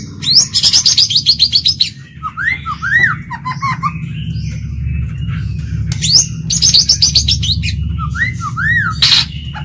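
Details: White-rumped shama used as a lure bird, singing to draw out and challenge rivals. Bursts of rapid high chatter alternate with looping whistled notes, repeated after a pause, over a steady low hum.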